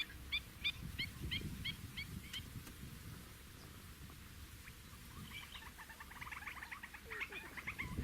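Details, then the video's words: Fork-tailed drongo filmed in natural habitat in Africa: a rapid even series of about eight short, sharp, metallic notes, then a pause, then busier scratchy chattering notes, with low rustling noise throughout. "Fork-tailed Drongo"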